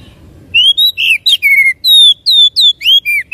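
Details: Loud, close oriental magpie-robin song played to stimulate another bird into singing: about ten crisp notes, sweet rising and falling whistles with one harsh buzzy note, delivered rapidly against a nearly silent background.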